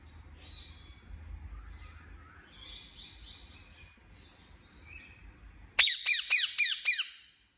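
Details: Pet Indian ringneck parakeet: faint scattered chirps over a low background rumble, then a sudden loud burst of five harsh, grating squawks in quick succession near the end.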